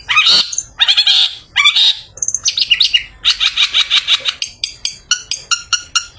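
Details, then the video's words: Freshly bathed long-tailed shrike (pented) in an afternoon song used as a lure for others of its kind: harsh chattering bursts, then a rapid series of repeated sharp chirps and whistled notes, quickening toward the end. "Burung Pented Habis Mandi Bikin Seger || Cocok Buat Pancingan Pented Sore Hari"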